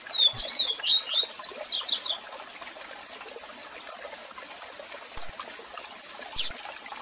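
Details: Double-collared seedeater with strong song and calls, mixed with cascade sound for song training: a two-second burst of whistled slurs and fast sweeps, followed by two isolated sharp chirps over continuous flowing water.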